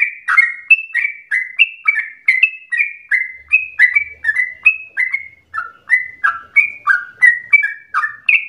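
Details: Yellow-vented bulbul (trucukan) lure song for making other bulbuls sing at length; quick bubbling run of clear, slurred whistles, some higher and some lower, about three notes per second, with brief faint low knocks in the background.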